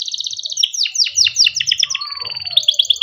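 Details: Canary song kept as a lure for training young canaries: rapid downward-sweeping whistled notes repeated in quick series, then a sustained rolling trill and more bright sweeps.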